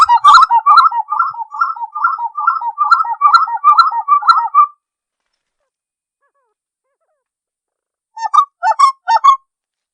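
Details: Uru, the spot-winged wood quail, singing in Serra dos Órgãos National Park near Teresópolis, Brazil, unedited recording: a rapid rhythmic series of rolling, liquid phrases for about five seconds, then silence, then three more short phrases.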